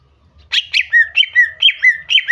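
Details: Loud, close female greater green leafbird calls aimed at coaxing a male to sing: rough opening notes, then steady bright whistles, each dipping downward, roughly four per second.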